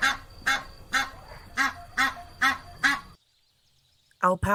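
A goose gives a run of seven loud, nasal honks about every half second, then a brief pause and two more harsh honks.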